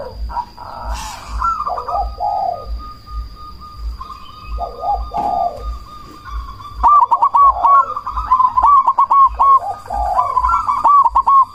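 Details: Zebra dove, a black cemani variant, used as a lure to provoke other doves into answering and raise breeding drive; repeated stuttering cooing phrases with a rolling trill, several doves overlapping, steady low hum and faint high tone throughout.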